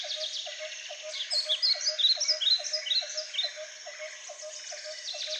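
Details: Blue-crowned hanging parrot in a zoo enclosure at Schönbrunn, Vienna, Austria. High, thin, squeaky chirps and short rising notes in busy bursts, over a steady train of lower pulsed notes repeated about twice a second.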